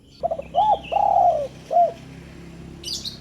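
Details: One spotted dove phrase used to get lazy doves calling: a quick double stutter, an arched coo, a long sliding coo, then a short end note, with a faint thin whistle and a high burst near the end.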